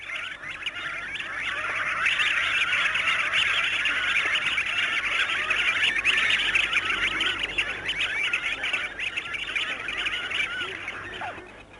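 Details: A large flock of Pink-eared Ducks wheeling about in flight gives dense, overlapping chirruping calls, high and rapid, forming a continuous twittering chorus throughout. These distinctive calls help identify the species in poor light.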